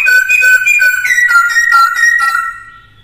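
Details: Caged black-throated laughingthrush singing to coach a young bird: a fast, loud run of clear, flute-like whistled notes at a steady pitch, tapering off after about two and a half seconds.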